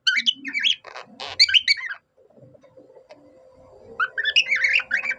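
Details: Pet budgerigar singing in imitation of a cockatiel: rapid twittering and whistled chirps, a buzzy burst near the first second, a quiet gap, then renewed chattering warble with a faint low hum beneath.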